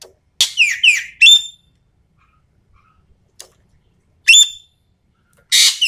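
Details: Common green magpie from Sumatra in a lure and training recording, full of energetic shrieking bursts: a harsh rasping blast, two quick downslurred notes, then a ringing whistled note, phrases repeated after pauses of silence.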